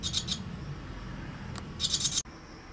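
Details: Barn swallow, at a nest in Japan on 19 April 2023, the day the single chick fledged 22 days after hatching, gives a few quick, high, scratchy twitters in short bursts over a low steady hum and thin electrical whine.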